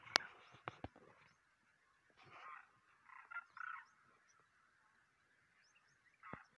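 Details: Demoiselle cranes during their March 2023 migration give faint, harsh, rattling croaks in short bursts, several close together and then one more after a pause, with a few sharp clicks at the start.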